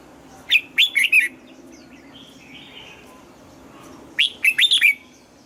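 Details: Red-whiskered bulbul, old wild-type double-note morning song. Two phrases of sharp, separated whistled notes, three to five per phrase, spaced about three and a half seconds apart. Faint twittering and hum underneath.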